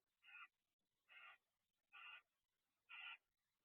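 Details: Two barn owls interacting at a nest box just after midnight on 2 December 2023; harsh, hissing screeches, four broad rasping bursts roughly a quarter-second each, spaced about a second apart in a quiet night.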